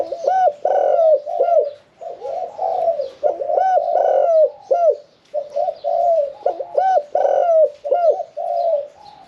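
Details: Caged Spotted dove, kept one year four months, singing a medium-pitched 'throw with one kuk' cooing style: low hollow coos bunched into repeated phrases with short pauses, each ending on a looping inflected note.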